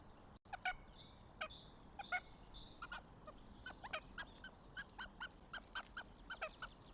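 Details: Northern goshawk calling at the nest, Tartu, Estonia, late April 2025: a long run of short, harsh, nasal notes repeated roughly twice a second, with small birds singing in the background.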